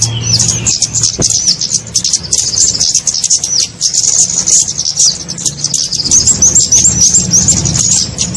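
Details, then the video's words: Kemade birds in a lure recording used to attract small birds for trapping: dense, high, thin twittering and chirps from many overlapping birds, with sharp upslurred notes near the end and a low hum beneath. "SUARA PIKAT burung kemade"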